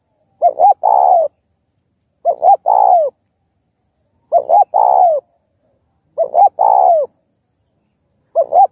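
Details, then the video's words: Spotted dove cooing in a set meant to stimulate other doves, covering thúc, gù and gáy gọi styles: four phrases, each two short clipped notes then a long coo falling at the end, about every two seconds, in silence. "Chim Cu Gáy Kích Bổi Đủ Bài Thúc - Gù - Gáy Gọi - Nghe Là Gáy!"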